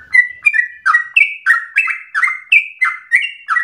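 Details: Sooty-headed bulbul in rapid, persistent, aggressive song, used to provoke singing and to train other birds: a brisk run of about a dozen clipped chirps, alternating higher and lower whistled notes with no gaps.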